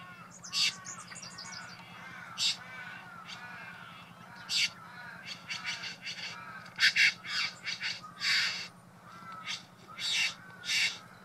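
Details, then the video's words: In Buln Buln East, Victoria, Australia, a male Satin bowerbird displays at his decorated bower to a female, giving harsh buzzy rasps, churring bursts and whistled notes with mimicry in quick irregular runs over a faint low hum. "Satin bowerbird performing at bower"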